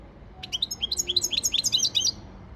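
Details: Short burst of European goldfinch training song: about a dozen quick, clear, slurred high notes in a lively run, each note sweeping up and down.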